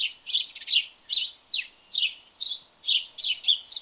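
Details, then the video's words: Noisy house sparrows in a backyard, chirping rapidly: loud, rough, twangy chirps crowd together almost without pause, roughly eleven notes in four seconds, one briefly sliding downward, against a quiet background. "House Sparrow Sounds and Calls"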